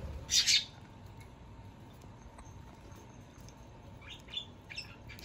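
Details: Two hand-tame Java sparrows about two months old, being weaned from hand-feeding, give two loud, sharp, high chirps close together, then a few softer chirps seconds later over a faint indoor hum.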